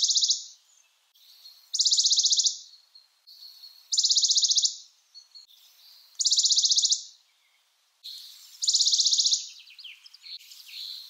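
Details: Western Bonelli's warbler giving five dry, rapid, high-pitched trills. Each trill lasts under a second and they repeat about every two seconds, with quiet pauses between them.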